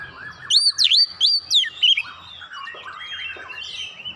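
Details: Oriental magpie-robin song used as a lure to provoke a response: a burst of loud whistled, swooping notes in the first two seconds, then quieter varied chattering phrases over a background of other soft bird notes.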